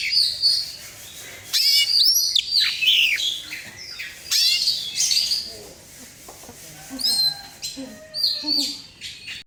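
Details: Oriental magpie-robin singing, a recording meant to lure other birds into song: loud bursts of rich, varied whistles, trills and harsh squawky notes, separated by short quieter gaps, phrases shifting constantly in pitch.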